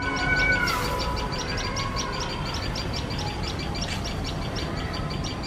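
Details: Shrill, insistent chipping from a tailorbird pair guarding its nest from a nearby male cat. Evenly spaced high notes run at roughly three per second, with a brief whistle at the start and low background noise.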